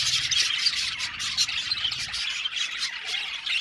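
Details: Budgerigars in an aviary colony, a dense wash of high chirps and scratchy squawks overlapping without pause, with short bright notes flicking out above the steady chatter.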